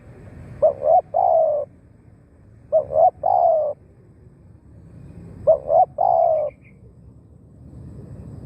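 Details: Decoy spotted dove luring wild doves, giving three evenly spaced phrases about every two and a half seconds, each two quick rising notes leading into a long smooth mellow coo.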